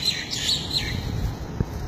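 A myna gives quick, scratchy chirps and whistles, jumbled high notes over a steady low rumble of background noise.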